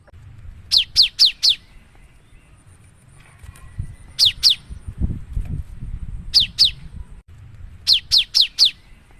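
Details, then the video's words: Cinereous tit singing in the chatty 'gacor nembak' style, a lure for other birds: bursts of loud, high, downslurred notes in groups of four, two, two and four, with a low background rumble between phrases. "Suara burung gelatik batu gacor nembak"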